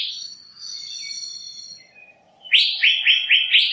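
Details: Asian fairy-bluebird: long drawn-out whistled tones at the start, then after a short pause a run of loud, quick, slurred notes repeated about every quarter second.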